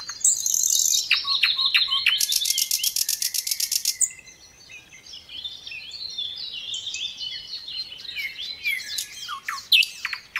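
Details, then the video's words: A little pied flycatcher sings loud, clear, varied song: high chips and a dense buzzy trill, then softer, quick, varied twittering phrases. "Sikatan Londo Gacor isian MEWAH MASTERAN semua BURUNG TEMBAKAN RAPAT"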